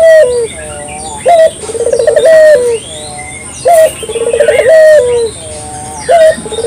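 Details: Local puter dove, clear recording used as a lure for morning, midday and night: a short high note, a rolling tremolo coo and a long falling note, repeated about every two and a half seconds, with faint chirping birds behind.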